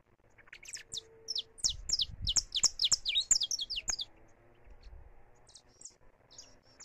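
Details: Saffron finch in free song, recorded live: a fast cascade of high, sharp, descending chirps for about three seconds, some low rumble beneath, then a few softer, scattered notes trailing off.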